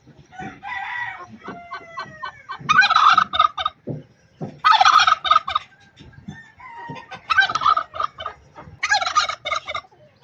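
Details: Angry pet turkey hen in Buner, Khyber Pakhtunkhwa, giving repeated loud rattling gobble bursts mixed with a few drawn-out whistled notes and soft low clucks in the gaps.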